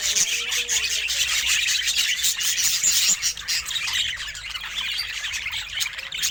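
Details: Budgerigar kept at home, looking very happy: loud, dense chirpy warbling with squeaky whistled notes, easing slightly in the last two seconds.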